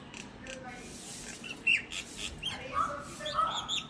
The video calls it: myna bird